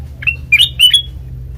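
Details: Black-crested bulbul, recorded as a lure for trapping, giving three short, clear, slurred whistled notes in quick succession over a faint low hum.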